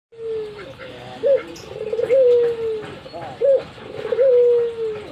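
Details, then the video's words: Albino Barbary dove, a pet bird, nodding as it coos vigorously: a short rising hoot followed by a long, level, slowly falling coo, the two-part phrase repeated about every two seconds. "Burung puter Albino saya gacor manggut"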